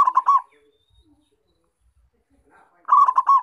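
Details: Local zebra dove calling vigorously, a recording used as a lure for trapping wild doves: a rapid burst of rolling coos at the start and another at the end, with a quiet gap and faint background noises between.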